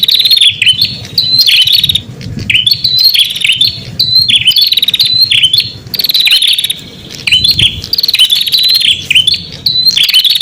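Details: High buzzy prinia trills and rapid ticking rattles repeated in bursts, played to call in wild prinias; low background hum throughout.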